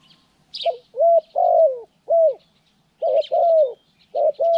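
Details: During trapping training on January 14, 2020, a spotted dove repeats its hoarse coo phrase twice, short notes leading into longer, slightly falling hoots, while small birds chirp and twitter faintly in the background.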